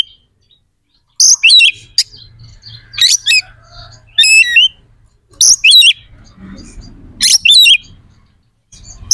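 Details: White-rumped shama song meant to rouse other shamas' aggression and breeding drive: loud, high, rapid phrases of trilled and warbled notes in bursts every second or two, with quiet gaps between.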